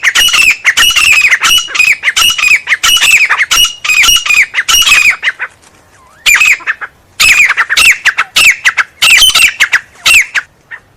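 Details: Grey francolin giving long runs of loud, shrill, grating notes in rapid repeated phrases, with a brief pause midway before the harsh series resumes.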